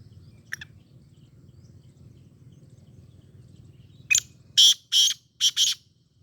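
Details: Sindh black francolin giving a harsh rasping call: a faint early note, then after a pause a burst of five loud, grating, buzzy notes grouped in pairs over about 1.5 seconds, against low background rumble.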